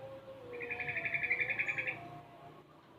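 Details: A young yellow-vented bulbul, six months old and practising ropel and garuda sounds, gives one rapid trilled chatter of about fifteen short notes lasting over a second, above faint tonal background sounds.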